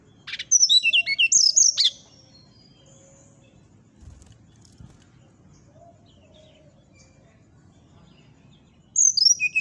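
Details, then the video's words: Brown-chested jungle flycatcher singing in the morning: a burst of high, sharp, twisting whistled notes for about two seconds, then a long quiet gap over a low rumbling background, then another high whistled burst near the end. "suara srdc di pagi hari untuk pancingan srdc macet bunyi,masteran dan terapi srdc ,srdc gacor"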